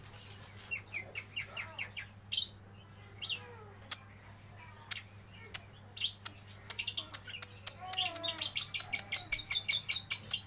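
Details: Lovebird from bird-shop stock singing in the ngeriwik style: scattered high, sharp chirps and clicks that speed up into a dense, rapid chattering run near the end, over a low steady hum.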